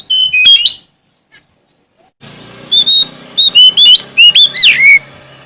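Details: Sumatran Oriental magpie-robin singing busily to challenge a rival: loud, clear whistled notes and quick slurred rising and falling sweeps in short bursts, a brief silent gap, then more ringing whistles over a steady low hum.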